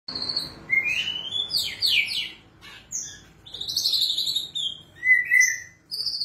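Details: White-rumped shama singing energetically, its song filled with cililin-style phrases: a rich run of varied whistles, some rising and some sweeping down, with short high buzzy notes and pauses between bursts.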